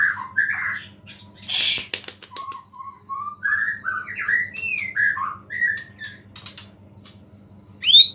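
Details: White-rumped shama, murai batu, singing to provoke rival shamas: a string of mellow slurred whistles stepping up and down, with bursts of high buzzy ringing notes before and after and a low hum throughout.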